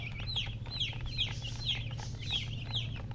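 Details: Chicks cheeping in a steady rhythm, about two high descending peeps per second, clear and bright over a low humming background.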